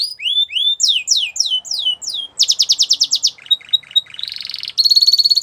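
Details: A Spanish Timbrado canary sings a varied training song: rising and falling slurred whistles, a fast pulsed rattle, clipped notes, a buzzy stretch and a final high metallic trill.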